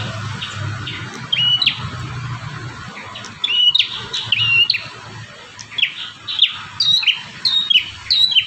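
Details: Bar-winged prinia song, a variation used for training other birds: bright whistled downslurred notes repeated about twice a second, growing denser toward the end, over a low rumbling background hum.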